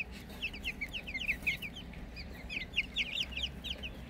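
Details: Newly hatched cuckoo partridge Brahma chicks peeping in a dense, overlapping chorus of short, high, slightly falling chirps, several per second, over a low steady hum.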